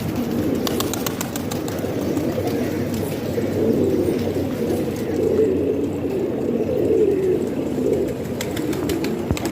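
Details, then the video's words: Pigeons kept at home in Pakistan produce a continuous low cooing murmur, occasional clearer throaty rolls standing out, along with scattered clicks and taps. "Pigeon Sound"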